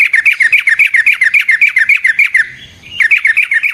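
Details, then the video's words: Energetic sooty-headed bulbul rolling song, used to make other bulbuls answer: a fast, steady run of bright chirped notes, about five per second, with one short pause. "Burung TRUCUKAN GACOR Ropel Panjang Cocok untuk PANCINGAN Trucuk"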